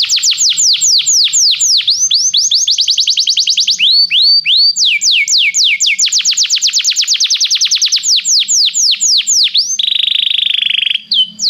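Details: Belgian canary singing a long unbroken song of repeated falling whistles that shift speed from slow sweeps to fast rolling trills, ending with a dense buzzy trill and a held note.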